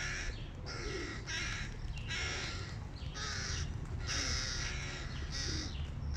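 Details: Several hooded crow chicks, hungry and excited by their father bringing food, give harsh raspy cries about once a second, each burst broad and noisy, over a steady low rumble.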